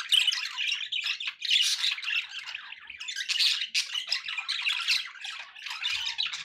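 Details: Pet budgerigars calling together with background noise: dense, continuous squawky chatter and warbling with scratchy bursts, almost no pauses throughout.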